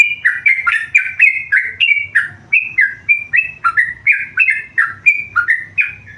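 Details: Singing tame yellow-vented bulbul: an unbroken stream of lively chirped notes, each sliding down in pitch, delivered about three or four per second throughout, with a low background hum.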